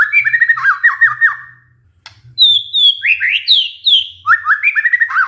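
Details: White-rumped shama singing a lure phrase used to prompt a stressed murai batu back into song: fast rattling notes, a brief pause, then high clear whistles sliding down into varied, rapidly repeated chirps.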